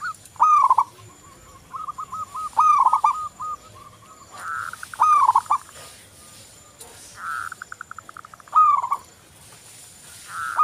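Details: Keenly singing local zebra dove, used as a lure so other doves start singing: repeated loud arched, trilling coos separated by soft rapid staccato runs, with occasional brief bursts of background noise.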